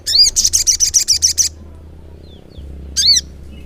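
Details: Brown-throated sunbird (sogok ontong) in full persistent song, wings fluttering: a rapid buzzy trill of nine or ten high pulses, then a pause and one sharp arched chip.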